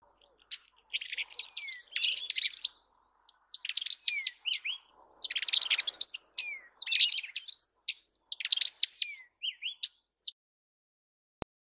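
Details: Southern (lesser) double-collared sunbird (Cinnyris chalybeus) of southern Africa singing: rapid, high tinkling jumbles of thin notes with short falling slurs, delivered in four bursts about two seconds apart.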